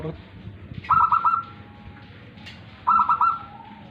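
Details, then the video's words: A tame local zebra dove singing: two short phrases of rapid, staccato cooing notes, each a quick run of four or five clipped hoots ending in a trailing tone, about two seconds apart, over low background rumble. "perkutut lokal manggung jinak"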